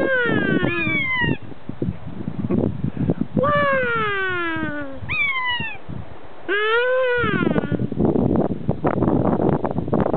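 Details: A kea at the Punchbowl Falls car park, Arthur's Pass, New Zealand, answering a person's imitation of its call, gives about four loud, drawn-out, downward-sliding 'keee-aa' wails over a steady low rumble and some voices.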